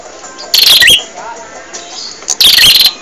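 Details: Two harsh, buzzy song bursts from a bar-winged prinia, each with a short rising whistle, separated by a quiet pause; gacor training audio for caged birds.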